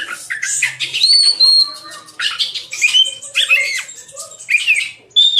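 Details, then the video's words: Oriental magpie-robin (kacer) in full 'gacor' song with sharp 'nembak' shots and 'isian' fill notes: high whistles, rising slurs and buzzy rasps in quick varied phrases, with brief pauses between bursts. "BURUNG KACER @BLACKBOYS GACORR FULL NEMBAK ISIAN"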